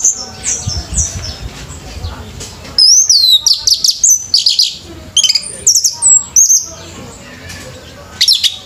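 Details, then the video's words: Orange-headed thrush at a singing competition delivers a long, varied song of high whistled slurs and rapid chattering notes in quick clusters, with brief pauses between phrases, after a faint, noisy opening. "ANIS MERAH PUNCAK SENI BIRD COMPETITION"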